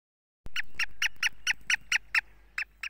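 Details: Black francolin giving a series of about ten harsh, rasping notes, each short and evenly spaced, that fade slightly toward the end over a quiet background.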